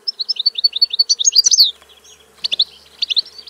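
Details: Goldfinch song fragment, a rapid run of sweet high twittering notes rising into a brief buzzy flourish, followed by a pause and a few sharp chirps.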